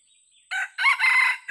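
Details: Old decoy junglefowl used for luring, described as still hesitant, giving a harsh, broad crow in loud bursts: a short opening note, then a longer ragged phrase and a final burst cut off at the end.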